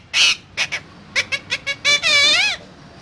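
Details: Parrot chattering in speech-like syllables: a loud squawk, a string of short clipped notes, then a long warbling, wavering nasal phrase that ends the sequence.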